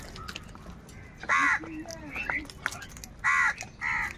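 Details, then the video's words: Crows fighting for food, calling loudly: three harsh, loud caws, two close together near the end and one earlier, over a low background hum with a few faint thinner calls between. "Crow bird Fight for Food | কাকের ডাক Crow Sound Loudly"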